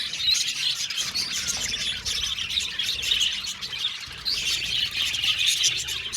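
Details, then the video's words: Australian budgie colony in an aviary: lively overlapping chirps and warbles, a slight lull around the middle before the chatter builds again. "Budgie Sounds for Lonely Budgies | Natural Relaxing Chirping Sounds"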